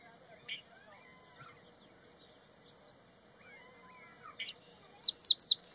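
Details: On Haidakhan Road, a crested bunting calls and sings: a few scattered high notes, then four sharp, downslurred notes in quick succession, over a steady high insect-like whine.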